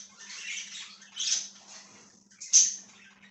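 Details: Budgie chirping on 1/6/2023, giving grating chatter and then two loud shrill squeaks about a second apart, with a low hum in the background.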